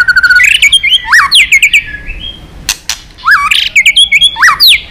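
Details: Agitated white-rumped shama in competitive song, stirred up against rivals: rapid rich whistles, looping slurred phrases and sudden sharp clicks, with short pauses between bursts of varied notes.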